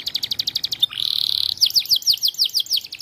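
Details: Canary of the pocong type singing energetically to provoke rival birds: rapid trills of repeated high notes, a sustained buzzy tone, then a series of descending slurred whistles repeated about five times a second.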